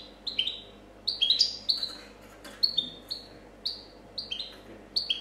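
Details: Champion European goldfinch from 2014 competition delivering clean copia song, a series of bright, downward-sliding whistles repeated roughly every half second, occasionally paired into quick two-note figures against a quiet background.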